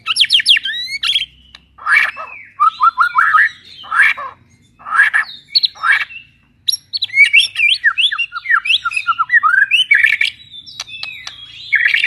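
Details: White-rumped shama, a kept bird with unusual albino or pied plumage, singing loudly: rapid varied phrases of sharp chirps, rising whistled notes and buzzy trills, in dense bursts separated by brief pauses.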